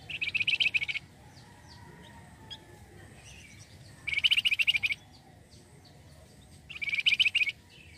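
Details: Flamboyan bird in full, lively song, played as a lure to draw in other birds; three bursts of rapid, high chattering chirps, each about a second long, separated by pauses of a few seconds, over a quiet low hum.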